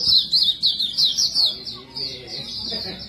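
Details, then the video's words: Nonstop high warble from a white-breasted white-eye, the 'bocor' song used to draw other birds. Bright rapid chirps come about three per second, then soften into a thinner stream. "Burung Pleci Dada Putih | Pleci Buxtomi | Pleci Montanus Bocor cocok untuk pancingan"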